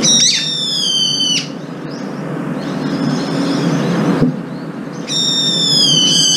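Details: Several brown-eared bulbuls sharing breakfast, squabbling and chasing one another off the food: loud, piercing, ringing screeches with a slight downward slur open and close the passage, with a quieter, hum-filled gap between them.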